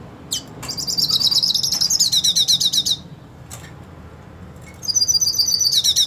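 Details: Purebred hooded siskin singing as it seeks to fight another hooded siskin: a long rapid high trill with buzzy overtones, a quiet gap of about two seconds, then the fast trilling resumes.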